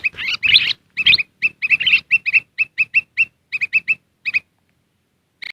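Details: Wild black-crested bulbuls are said to come quickly to this tested lure call: a couple of rough chattering bursts lead into a long, even series of crisp chirps, then a pause and one last note.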